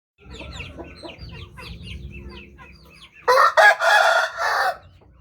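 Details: Bangkok rooster crowing loudly: a harsh, buzzy crow of four broken parts lasting about one and a half seconds, preceded by a steady chatter of high, falling chirps from small birds or chicks.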